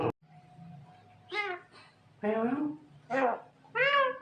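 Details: Pet Javan myna, a talking bird, producing nasal meow-like and speech-like syllables in four loud bursts, some rising then falling, over a steady low indoor hum.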